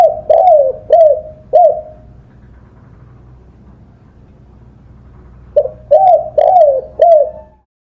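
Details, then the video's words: Spotted dove song used to train songbirds: three hollow, arched coos, a quiet pause of about three and a half seconds, then a further run of four similar coos. "Masteran suara burung TEKUKUR / DEKUKUR / DERKUKU"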